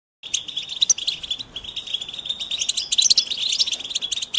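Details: European goldfinches twittering together in the wild; these mating and readiness calls are said to stimulate silent males to sing. A dense, continuous high twitter with quick chips and buzzy notes overlapping from several birds.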